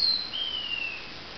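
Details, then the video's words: Lavender finch singing at dawn: a brief, very high thin whistle sliding downward, then a longer, fainter whistle that falls slowly, over a steady background hiss. "lavender finch song"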